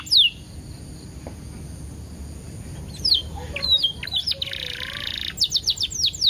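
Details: Canary song used as a lure to prompt other canaries to sing, with ten-second pauses: a quiet stretch, then scattered high, sharp downslurred notes, a buzzy block and a quick run of rapid falling chips near the end.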